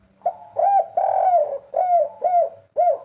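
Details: Spotted dove (tekukur) calling as a lure for trapping: a run of six mellow, low coos, the longest stretched and gently falling, each note separated by brief pauses.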